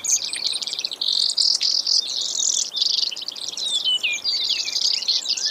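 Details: Varied high trills and buzzes from a Brewer's sparrow, broken by short gaps, with downward-sweeping whistled notes in the later half.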